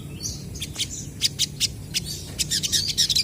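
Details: Lively crested jays (sogon) calling back and forth, played to get untrained birds to respond. Sharp high clicks and short chattering notes arrive in quick uneven bursts over a faint low hum.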